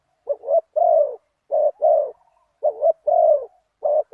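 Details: Spotted dove used as a decoy to lure a wild target bird, with a deep 'big voice' one-kuk coo style. Low mellow coos come in grouped phrases, a short double note then a longer falling coo, repeated about every 1.3 seconds.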